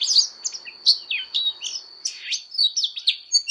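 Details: Oriental magpie-robin fighting song for voice training: varied whistled phrases with sliding rising and falling notes and short buzzy trills, delivered in quick bursts over a steady high background tone.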